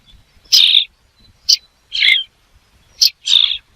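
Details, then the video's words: Five short, rasping bird calls come in quick succession, some longer and buzzy, others brief, against near silence. "The sound of a bird"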